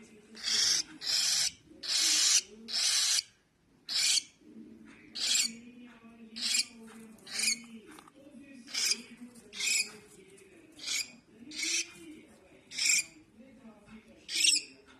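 A baby cockatiel gives harsh, hissing rasps, repeated roughly once a second over a low background murmur.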